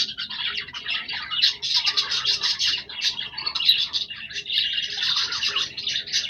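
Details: Budgerigars, pet birds: dense continuous warbling chatter of several birds, high buzzy and squeaky notes overlapping without pause.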